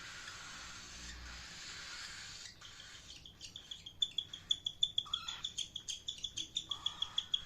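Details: Cockatiel chirping: after a noisy start, a fast run of sharp, high, clipped chirps repeating about three per second, with a few lower, buzzier notes in between.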